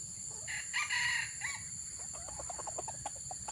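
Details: Red junglefowl crowing during an attempt to lure wild junglefowl: a faint, broken crow of a few harmonic bursts, followed by a run of short clucking notes, with steady high hiss throughout.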